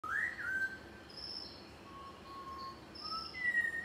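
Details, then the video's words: Malabar whistling thrush at Munnar in the Western Ghats, Kerala, gives a clear, slurred whistle rising then falling, then softer drawn-out whistles. Faint thin high notes from other birds or insects sound behind it. "Captured the sweet call of “Malabar Whistling Thrush”"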